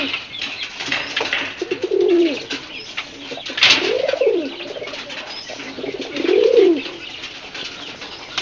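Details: Pigeon coos, three low arched calls spread over several seconds, plus a sharp burst of wing flapping near the middle and scratchy rustling noise throughout.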